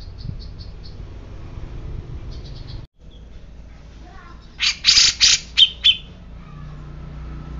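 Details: Grey-cheeked bulbul said to be agitated: faint high ticks at first, then a brief burst of five loud, harsh, buzzy notes, the last ones with a whistled edge.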